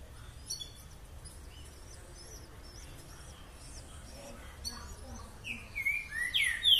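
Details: Green-winged Saltator (trinca-ferro), a "boca mole" singer, recorded 2 June 2020: a run of faint, high, rapid chirps from other small birds, then loud, rich whistled notes sweeping down.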